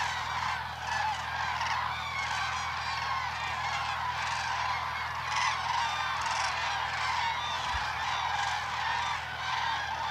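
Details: Common cranes performing their spring courtship dance at Hornborgasjön in Västergötland, April 2009: a steady wall of layered trumpeting calls from a large flock, louder individual calls breaking through repeatedly, with a faint low hum underneath.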